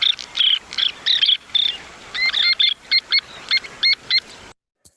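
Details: Baird's sandpiper (Calidris bairdii) flight calls: a series of short, high, rolling trilled notes, then clipped notes repeated about twice a second, ending abruptly.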